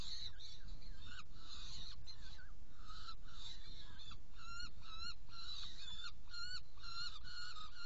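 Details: Saker falcons at a nest in Hungary, 16 June 2018, evening, while prey is delivered and two young are fed: a run of harsh, grating notes, some bent downward, repeated rapidly against constant low background rumble.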